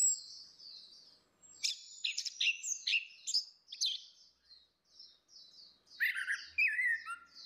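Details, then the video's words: Orange-headed thrush in a female versus male lure, singing fully and openly: thin high whistles, then fast scratchy and whistled phrases, a brief lull and a final bright burst with falling slurs. "SUARA ANIS MERAH BETINA VS ANIS MERAH JANTAN NGEPLONG || PANCINGAN ANIS MERAH"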